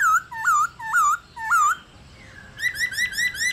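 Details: Female laughingthrush with a wild, old-forest voice gives clear, wavering whistles, four in under two seconds, then a quicker run of rolling, bubbling notes. It is played to spur caged laughingthrushes to sing.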